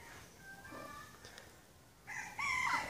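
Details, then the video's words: Male Indian peafowl courting a peahen while displaying his tail feathers, honking at her very loudly: after a quiet stretch with faint tonal notes, a loud, harsh, harmonic honk bursts in near the end and swells, wavering upward. "Peacock honking at peahen"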